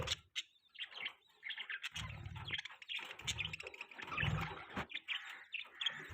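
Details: Budgerigars chirp and warble steadily, quick high twitters and squeaky notes tumbling over one another, broken by occasional low thumping sounds throughout.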